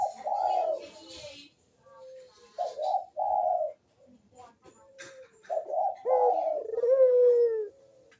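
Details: Burung puter, Barbary dove, cooing steadily as a lure to set quiet doves calling: series of deep rolling coos with short breaks, ending in a long, smooth, falling drawn-out note.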